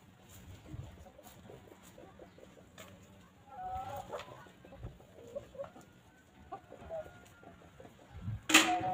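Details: Hens roaming freely and grazing on a peaceful farm; irregular soft clucks through the clip with a brief drawn-out whine near the middle, ending in a loud sharp clatter near the end.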